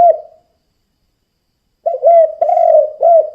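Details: Spotted dove in 'kuk 2' calling style, used as a lure for other doves: a lone low coo fades out, then after a pause a new phrase of hollow, slightly wavering coos begins in a quiet setting.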